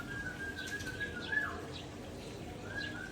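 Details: White-rumped shama of the Aceh type, agitated and singing fiercely while showing off its learned imitations; long level whistled notes held near one pitch with brief higher slurred notes between, over a faint background murmur.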